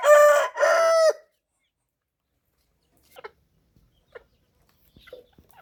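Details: Rooster crowing in a two-part burst during the first second, harmonic and strident with a held second part, followed by silence and a few faint clucks and short calls.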